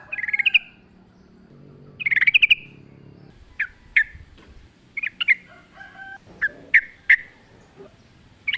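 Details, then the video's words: Sooty-headed bulbul song in natural surroundings, wild style: short bubbly warbled phrases separated by pauses, with crisp single notes and soft background chatter. "trucuk gacor ngalas full suara alam"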